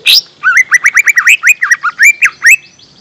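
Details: Lure song of the lesser green leafbird for young birds: a loud, rapid, varied warble of slurred whistles, rising and falling, about a dozen notes packed into two and a half seconds.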